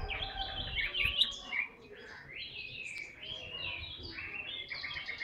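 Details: A tame Chinese hwamei kept in a cage and praised for singing a lot gives a medley of slurred whistles and short warbled phrases over a low background hum.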